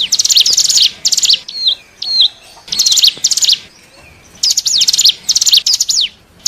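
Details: Lure recording of a hill prinia for wild birds: rapid high chirp clusters, a pair of short hooked whistles, then more bursts of falling, scratchy notes.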